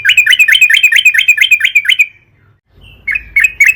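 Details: Sooty-headed bulbul (trucukan) song used as a lure for other trucukan: about two seconds of quick, regular, slightly rising chirps, then a pause and several spaced sharp notes.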